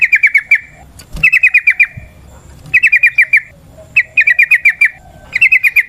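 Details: Yellow-vented bulbul, wild forest style, singing to draw and stimulate other bulbuls: short bursts of five or six rapid, bubbling notes repeated about every 1.3 seconds.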